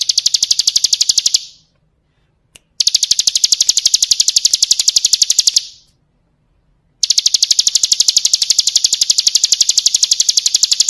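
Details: Ciblek kristal, the bar-winged prinia, singing for tutoring caged birds. It gives long, high, rapid trills of sharp repeated notes, three bursts of roughly three to four seconds each, split by short silences.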